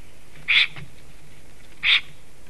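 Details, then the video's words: At a nest in Sigulda, Latvia, at 12:40 pm on 11 April 2021, a Black Stork rearranging twigs, possibly eating moss, gives two brief, wheezy, breathy hissing notes about 1.3 seconds apart over soft steady hum. "Melnais stārķis~ Black Stork is eating Moss? Is singing & rearranges twigs"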